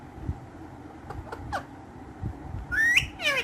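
A ringneck parrot gives a few faint clicks, then two harsh, rising squawks with a whistled edge near the end, over low background noise.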